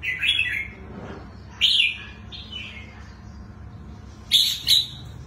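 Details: Red-whiskered bulbul of the bổi type, a long-feathered bird kept for show, giving a twisting song: short bright warbled phrases with pauses between, a chirpy pair of notes near the end, quiet room hum underneath.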